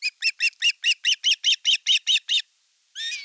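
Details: Osprey at nest #1 in the Satakunta region of Western Finland on 5 August 2024, as an elder chick attacks a younger chick during fish delivery; a dozen sharp chirps in quick succession, then a pause and a longer harsh note.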